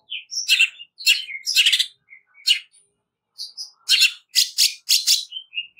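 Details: Harsh, rapid song of a greater green leafbird used for training: scratchy chattering bursts mixed with short whistled notes, a pause near the middle, then dense harsh notes in quick run.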